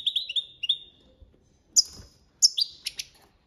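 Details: European goldfinch, copia Málaga training song: a few short, evenly pitched whistled notes, then a pause, then isolated sharp buzzy chips and metallic flourishes at irregular intervals.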